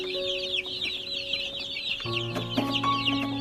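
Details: Around a hundred baby chicks chirping loudly, a rapid overlapping stream of sharp high peeps, with background music swelling into a lower chord halfway through.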